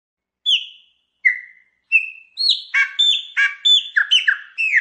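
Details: Chopi blackbird song played to get a pet bird singing: clear whistled notes falling in pitch, then a fast run of rich, warbling phrases with buzzy and chuckling notes.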